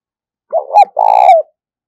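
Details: Decoy spotted dove giving an urging, calling coo meant to lure wild doves: two quick wavering coo notes, then one longer, steady, throaty coo that drops slightly at the end. Clean background.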